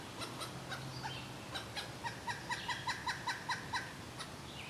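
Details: Pileated woodpecker calling a run of about ten loud, evenly spaced piping notes, mid-pitched and ringing, delivered over roughly two seconds, with faint chirps of other birds and a steady low hum behind.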